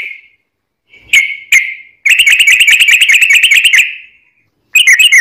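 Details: Yellow-vented bulbul lure song meant to prompt others to sing back: a few single whistled notes, then a fast, buzzy rattling trill of clicked notes lasting about two seconds, a silence, and a final brief burst.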